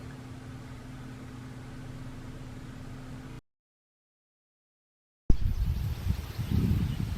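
A steady low mechanical hum, a short silence, then rumbling vehicle-like noise; no animal calls.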